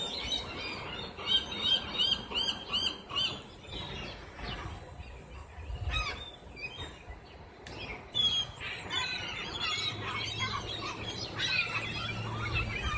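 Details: Seagulls at Rockaway Beach calling while being served lunch outside a restaurant: many overlapping squealing, harmonic cries in rapid, irregular bursts with some sharp louder notes, over steady outdoor background noise.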